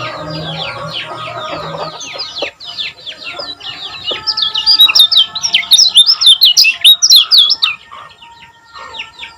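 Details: Common iora from Lombok, played to stir other ioras into song, gives a long rapid stream of looping, chattering notes. The notes grow louder and more piercing midway, over a low steady hum and faint background noise.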